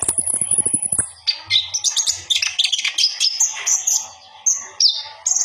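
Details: Common iora as a master recording, singing hard enough to puff out its feathers: soft low clicking at the start, then a busy run of high whistles, chirps and trills with short gaps.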